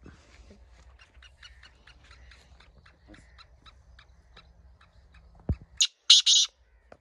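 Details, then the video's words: Captive francolin calling in the jungle, answering a wild francolin calling from a wall nearby: soft quick chirps over a low rumbling hum, then loud, harsh, grating notes near the end. "ये जी देखे माशाल्लाह, बुलाई पे भी आ गया है शिराज वाला तितर।"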